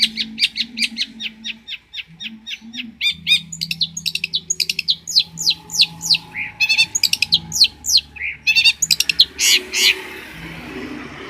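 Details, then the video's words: Long-tailed shrike, a Banyuwangi champion used as a master singer: a quick series of sharp ticks speeding into a rattling trill, then longer, rising scratchy whistles and squeaky notes. "MASTERAN CENDET JUARA"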